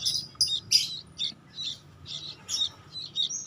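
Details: Sooty-headed bulbul chick that has lost its mother, giving rough, high, hoarse begging notes in irregular bursts, several per second, with short gaps between them.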